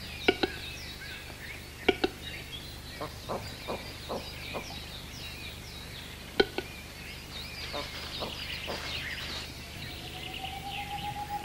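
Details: Western capercaillie performing its courtship display in the breeding season in Orobie Valtellinesi Park, Italy, filmed with an analogue camcorder: sharp knocking clicks, often in pairs, then a quicker run of clicks, with other birds singing high behind.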